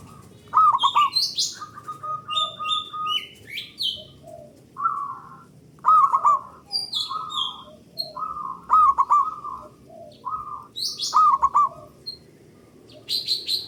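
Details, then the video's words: [2, 'Zebra dove of a local strain giving a loud, long song meant to draw other doves into singing: repeated phrases of rapid soft coos, each ending in a stronger warbled roll, while small birds chirp higher in the background.'] "Pancingan Burung Perkutut Lokal Gacor Dor Bersaut Sautan $uara Keras Panjang"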